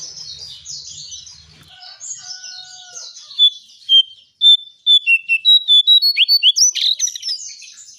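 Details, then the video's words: Brown shrike calling, used as a lure for birds: soft chatter, then a quick series of clipped, high whistled notes stepping slightly up and down, ending in harsher bursts. "Jongkangan/Cingcoang coklat untuk pancingan burung anda"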